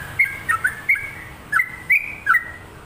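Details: Sooty-headed bulbul, a lively singing bird kept for training other birds, gives bright whistled phrases: short notes sliding from high to lower pitch, about six phrases in under three seconds.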